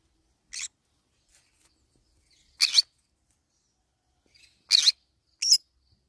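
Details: Green-cheeked conure feeding on banana leaves utters four short, harsh, rasping calls at uneven intervals, the last two close together, with faint quieter chirps between.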